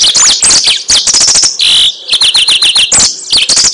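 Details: Lure recording of a Yellow-fronted canary: loud, high rapid twitter with sharp ticks, a brief buzzy note, then a quick run of repeated swooping whistles before more fast chatter.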